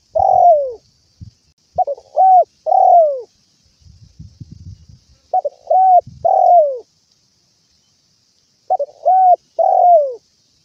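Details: Spotted dove calling its companions, four cooing phrases in about ten seconds, each made of quick introductory notes, a flat coo and a downward-sliding longer coo, with a brief low rumbling noise in the gap.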